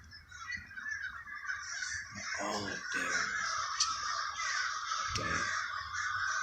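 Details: Many crows cawing together in the Villa Park neighborhood of Trenton, New Jersey, a harsh continuous chorus broken by a few louder, closer calls and brief low knocks.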